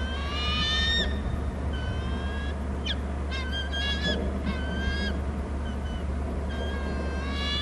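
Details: Two bald eagles on Hornby Island call between the nest and the territory, heard through a nest camera: scattered high, piping and squealing whistles, some in quick runs, over a steady low drone.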